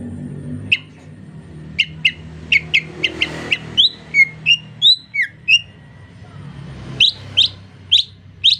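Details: Greater green leafbird in the rainy season with soft 'ocehan lemas' singing: scattered sharp notes, then a burst of varied whistles and slurs, then a final run of clipped high notes, with background noise throughout.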